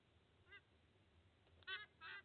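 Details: Sea eagle at its nest in Australia as the male delivers lunch to two eaglets on 30 August 2024; a soft honk, then two louder, harsh, goose-like honks in quick succession against low background rumble.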